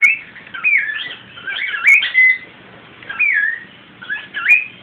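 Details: Pet cockatiel saying "come here" to baby cockatiels, in a run of warbling whistled phrases that rise and fall, with brief pauses between phrases; quiet indoor background.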